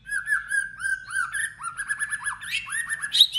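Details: White-rumped shama singing hard in competition: a steady stream of quick repeated upslurred whistles, about four per second, shifting pitch midway and ending with a sharp high note.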